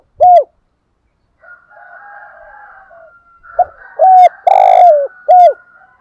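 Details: Decoy spotted dove calling to lure wild doves: one low coo note, a gap with faint twittering in the background, then a hollow three-part phrase with a long, full middle note.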